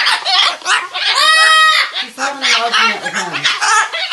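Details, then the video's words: Amazon parrot screaming at a cockatoo, getting on its nerves: loud, harsh, ringing half-second screech among raspy chattering and speech-like squawks, human voices nearby. "Well the Amazon was getting on Pickles nerve with his screaming"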